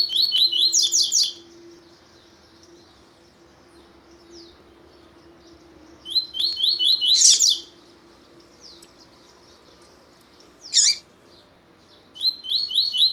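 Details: A double-collared seedeater (Sporophila caerulescens) sings firm, repeated song meant to stimulate other males: three short bursts of quick, high, repeated chirping notes with pauses between them, over a steady low electrical hum.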